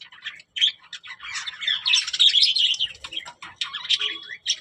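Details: Budgies talking in quick chirps and scratchy warbles, short notes tumbling fast and irregularly with brief pauses, rising into a denser babbling run in the middle.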